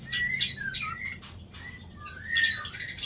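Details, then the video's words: White-rumped shama singing while tail-flicking at a rival: rich whistled phrases with slurred downward notes mixed with harsh, scratchy bursts, delivered in quick succession. "Murai Badheuk Ekor 24 Pelenting Ekor Gertak Lawan"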